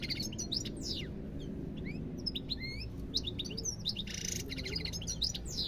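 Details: European goldfinch singing a fast, tinkling run of high twitters, chirps and sharp up-and-down slurred notes with short buzzy bursts, over a steady low hum.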